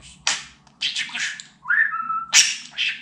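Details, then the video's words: Captive talking budgerigar that imitates Turkish words such as "Aşkım" and "Cici kuş". Sharp, hissy speech-like syllables, a smooth upward-sweeping whistle that levels off, then a sudden crisp burst, with a low steady hum beneath. "Babacık Aşkım Cici kuş Demeyen Konuşmayan Muhabbet Kuşu kalmasın"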